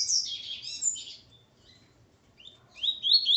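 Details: Male double-collared seedeater (coleiro) with its female: a high, fast twittering phrase of sliding notes, a silent gap of over a second, then a brighter rising trill.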